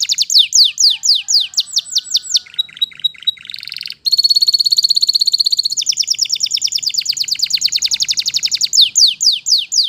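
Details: Canary singing, stated to be in the wild, alternating sweeping falling whistles, a brief pause, then long rapid buzzy trills and rolling high phrases before returning to downslurred notes.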